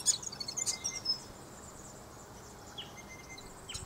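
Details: Grey fantail in an Aleppo pine, giving a few sharp, very high chips at the start and again near the end, over a steady thin whine and soft background hiss.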